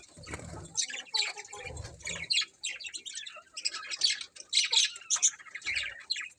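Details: Colourful budgerigars in a colony chirp together in dense, scratchy high-pitched chatter with overlapping warbles and squawks, and low thumps at a few moments.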